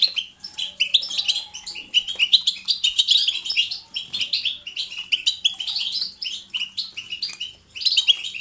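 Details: European goldfinch kept as a pet, in lively natural song: long runs of quick, tinkling twitters and chirps, briefly pausing near the end, with a faint low hum behind.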